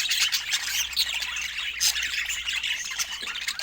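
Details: Busy budgie chirping, with rasping squawks and bright high twitters crowding one another continuously.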